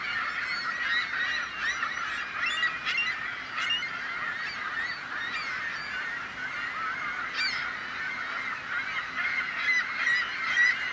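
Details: Noisy seagulls calling to scare off would-be predators, human or bird: overlapping raucous squawks from several birds, with a few sharper, clipped notes standing out above a continuous chorus.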